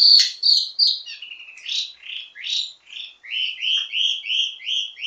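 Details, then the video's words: Wambi mini, an Indonesian songbird, performing a varied ledekan (teasing) song meant to tutor birds of its kind: bright chirps and slurred notes, then a run of rising whistled phrases repeated about three times a second. "Ledekan Wambi mini Full Gacor Banyak Vareasi"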